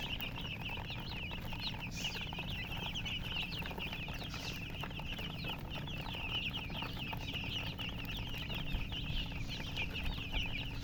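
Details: Chicks keep up a busy, high-pitched peeping chorus throughout, dozens of quick chirps overlapping, with a faint steady hum in the background.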